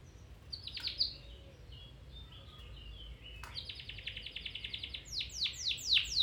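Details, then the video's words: Domestic canary singing, played as training to stimulate a canary to sing again or improve its song: high, rapid trills of repeated notes, some sweeping downward, with a brief pause and a faster rolling run toward the end. "Canary Singing 4k Video [Training for your canary]"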